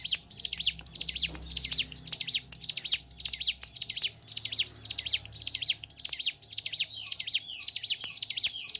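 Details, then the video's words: Hill prinia singing a fast, steady series of high, sharp chirped phrases, each a quick cluster of descending notes, repeated about every half second for nearly nine seconds, with a faint low hum underneath. "Suara burung ciblek gunung"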